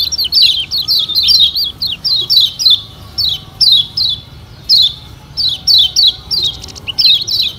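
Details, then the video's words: Lemon-bellied white-eye (Lombok kecial kuning), used as a lure recording to spur other birds into full song: high, thin chirping notes tumbling in quick bursts about half a second long, repeated with short pauses, no other sounds. "Pancingan Kecial Kuning Paling Ampuh Bikin Kecial Gacor Parah"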